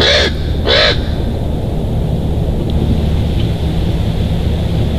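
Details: Wild bald eagle at its nest in Big Bear Valley on 1 February 2023, giving two short, high, chattering calls at the start, followed by steady low wind rumble.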